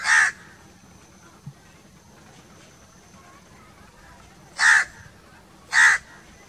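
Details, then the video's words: Crow giving single harsh caws: one near the start, then two more about a second apart after a long pause, over a faint steady high whistle and quiet background. "1 hour crow crowing sounds - one hour crow nonstop crowing voice - natural crow bird sounds"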